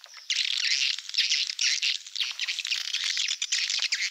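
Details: Malaysian-style swiftlet lure sound used in swiftlet farming: loud high buzzy twittering in bursts about half a second long, closely repeated with dense overlapping chirps.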